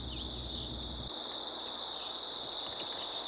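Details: Indigo Bunting singing in woods at Manassas National Battlefield Park, recorded with a shotgun mic; thin high notes sweep up and down in short phrases at the start and again mid-clip, over a steady high insect drone.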